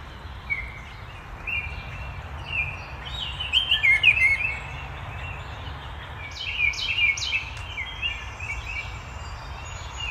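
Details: A Baltimore oriole in Massachusetts, New England, in the season when birds are returning, gives short, rich whistled phrases in two bursts, with a few higher chirps from other birds over a steady outdoor hum.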